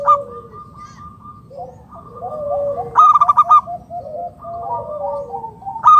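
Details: Lure zebra doves, local perkutut, calling back and forth. Overlapping runs of soft, staccato cooing notes at differing pitches are joined by a louder, sharper burst midway and another at the end.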